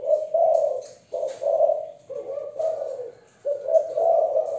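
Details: A young female spotted dove of Malaysian stock gives a continuous thổ-voice coo series: low, breathy notes in quick groups of two and three with brief gaps, steady and mellow throughout.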